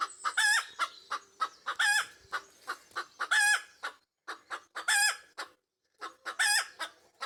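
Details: Pekin Bantam hen in a backyard flock singing the egg laying song: loud harsh squawks with strong harmonics, alternating with short clucks, in bursts roughly every one to one and a half seconds, with a brief pause near the end.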